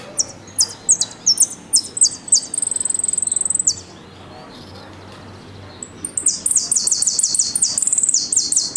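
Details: Argentine goldfinch song: very high, thin clipped metallic notes in quick bursts ("golpe"), then a sustained rapid whistled trill ("pitadas"); after a brief pause, another fast run of sharp notes.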